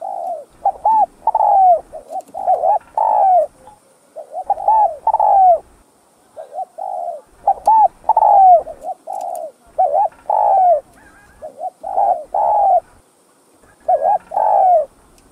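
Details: Spotted dove in Vietnam, cooing 'thúc gù' style to rouse and lure other doves: steady series of paired short coos and drawn-out falling coos, many phrases spaced by brief pauses.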